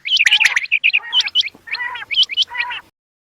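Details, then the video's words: Bater, the quail, in a loud run of high chirped notes. Quick squeaky whistles and lower buzzy slurs alternate in short groups, then stop abruptly into silence near the end. "new Quail bird Sound Fo Bater ki awaz Vol 26 Zabardast awaz Quails sound"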